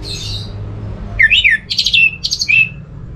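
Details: Orange-headed thrush voice offered to draw other thrushes into song: a soft high warble, then a burst of rising and falling chirps and squeaky phrases in quick succession, against a low hum.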